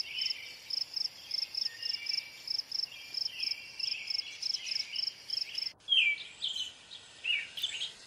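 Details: American robin phrases, soft at first beneath steady pulsing insect chirps, then a sudden loud, close, sweeping slurred phrase followed by further clear notes.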